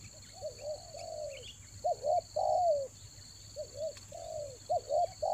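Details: Rainy-season lure spotted dove from Toba giving repeated phrases of short paired coos and long sliding notes, roughly every two seconds, with brief chirps from another bird and a continuous high drone.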